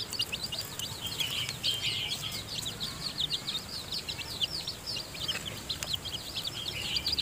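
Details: Newly hatched seven-tailed chicks peep in a dense, continuous chorus in their nest as the hen mother feeds them. The cheeps are shrill and rapid, with faint taps behind them.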